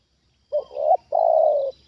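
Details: Trained decoy spotted dove reacting to a wild bird brought down for the second time: a short rising coo, then a long, steady, hoarse coo, mid-pitched and loud, over a quiet background.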